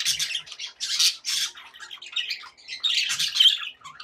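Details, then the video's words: Contented caged budgies squawking and warbling in short harsh bursts, rising and falling in loudness, with a few thin squeaks among the grating chatter. "happy budgie sounds"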